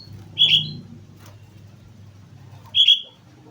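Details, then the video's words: Sooty-headed bulbul in full song at Mount Slamet: two bright, clipped whistled bursts, roughly two and a half seconds apart, over a steady low rumble. "suara burung kutilang gacor gunung slamet"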